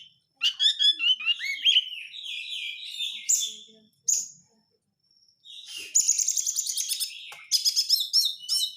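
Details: White-rumped shama lure song in crecetan style: fast high chattering phrases and drawn whistles, a short silent gap, then dense buzzy rattling trills, with no other sounds.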